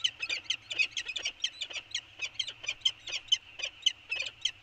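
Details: Peregrine falcons at Anacapa Island in an early-morning exchange of calls on 24 January 2020; rapid, grating notes clustered in quick runs, about two per second, scratchy and insistent.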